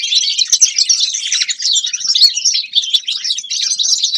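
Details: A grey-crowned goldfinch pours out a continuous, bright twittering song of quick chirps and rolling trills, loud and fairly even throughout.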